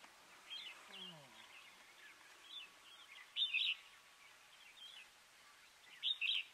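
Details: Red-vented Bulbul (Pycnonotus cafer intermedius) in Corbett National Park, India, November 2023, giving sharp, bright doubled chirps twice, a few seconds apart, over fainter twittering from other birds and a brief low sliding sound.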